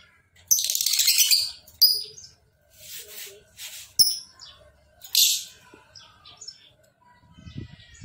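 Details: Lovebird producing a short chattering trill and scattered sharp chirps and squeaks between quieter gaps, with faint low background noise.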